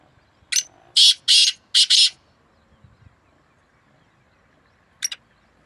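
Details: One of two black francolins calling against each other, May 2024: short note, two long harsh buzzy notes and a quick double note, then silence until a brief distant doubled note near the end.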